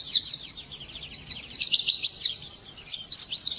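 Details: White-eye's morning song, a dense, very high trilling chatter of evenly repeated quick notes that rises slightly and then breaks into sharper, sliding chirps.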